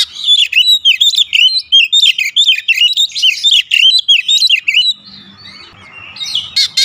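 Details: Fast, continuous Oriental magpie-robin song: rolling, bright whistled notes with sharp chirps packed closely for about five seconds, fading into quieter, thin notes and a last buzzy burst.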